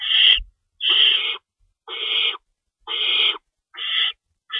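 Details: Owls in a nest during a night feeding on 25 March 2012 at 3:53 AM, with an adult tearing up stored rabbits. Rough, breathy screeches of about half a second repeat at a steady, quick pace, with a soft thump at the start.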